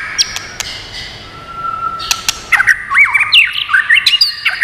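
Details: White-rumped shama song used to stimulate and train birds: sparse sharp clicks and a thin steady tone at first, then a burst of varied swooping whistles and rising notes in the second half.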